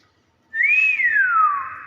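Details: Common hill myna giving one loud pure whistle that rises, then glides smoothly downward and holds at a lower pitch, with room echo.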